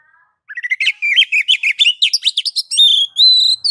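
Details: Oriental magpie-robin (kacer) in ngeplong style, a master song to make other kacer sing. A rapid run of short chirps, about two per second at first and then quicker, builds into drawn-out pure whistles at the close.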